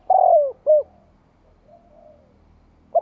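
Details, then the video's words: Spotted dove provoking rivals with a long, low falling coo followed by a short coo, then faint distant cooing and the start of another phrase. "Cu gáy kích bổi nghe tức sôi máu"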